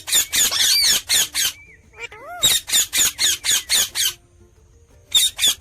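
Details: Parrot giving loud, rasping chirps in quick runs. Short rising, bending squeaks sit in the middle, and a final burst of chirps follows a brief pause.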